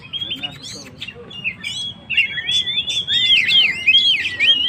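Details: Oriental magpie-robin in full gacor song, played to rouse stressed birds: scattered chirps give way to a rich, fast run of looping whistled notes that swoop up and down, growing louder toward the end.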